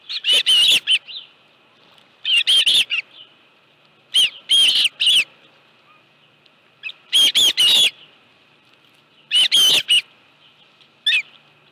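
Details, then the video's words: Osprey at its nest at Dunrovin Ranch, 25 July 2018 at 5:23 PM, where a live fish is brought. Brief clusters of harsh, high chirps recur about every two seconds with quiet gaps between them. "Dunrovin Ranch Osprey Nest Video_2018-07-25_174852-live fish 5.23 PM"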